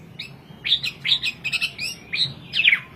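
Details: Softer, more distant Hwamei song: scattered bright whistled slurs and chirps with gaps between them, over a faint background hum.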